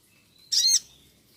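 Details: One buzzy, high sunbird (sogon) call, about a quarter second long with layered harmonics, taken from a master recording meant for training birds. A faint steady high tone runs underneath.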